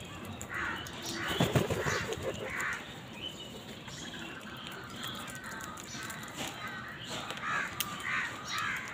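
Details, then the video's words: Several crows fighting for food: overlapping harsh caws repeated irregularly and rapidly, with bursts of louder scuffling or flapping noise early on, all over constant outdoor background hiss. "Crow fight for food Crow Sound"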